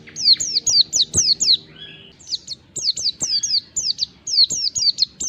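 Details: Oriental white-eye song used as a lure to draw replies from other white-eyes: rapid series of high, sharply down-slurred whistled notes, a little over two per second, with a brief break and a lower buzzy note near the middle.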